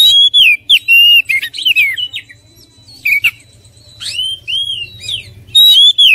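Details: Loud, clear oriental magpie-robin song in separated bursts: ringing whistles and arched slurred notes, gaps of quiet between phrases, and a strong whistled phrase at the end.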